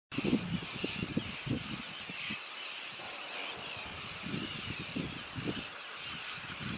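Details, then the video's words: On Bird Island in Monte León National Park, Argentina, cormorants give low, guttural grunts and croaks in irregular bursts over a steady hiss of wind or surf. "Singing cormorants"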